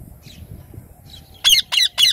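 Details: A wild rose-ringed parakeet sitting in a tree gives three loud, harsh, screechy squawks in quick succession, each about a quarter-second long, after a few faint chirps.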